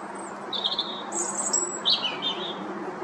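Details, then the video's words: A European robin sings for its territory atop a tall tree at a pond in Chesterfield, Derbyshire: short, high, thin phrases, a brief warble, a very high sustained note and a liquid descending trill, over faint hiss. "Robin territorial singing!!"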